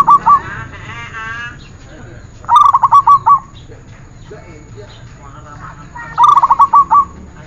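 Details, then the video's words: Zebra dove singing on a bird-training recording: short phrases of quick, rolling coos repeat about every three to four seconds, with softer murmuring sounds and faint voice-like noise between phrases. "Masteran perkutut"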